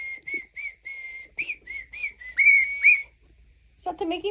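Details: Pet cockatiel whistling a tune its owner takes for the Mickey Mouse song: short steady whistled notes, then two louder rising swoops, followed by a human voice at the end.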